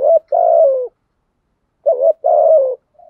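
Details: Decoy spotted dove cooing to lure wild doves in the rainy, stormy season; two phrases, each a short rising note followed by a longer, mellow coo that slides gently downward, about two seconds apart, in a quiet setting.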